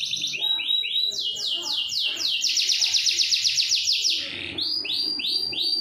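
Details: Canary in a long rolling song used to train other canaries and coax quiet birds into answering: high rapid trills of rising notes, shifting between several pitches, with faint low background noise.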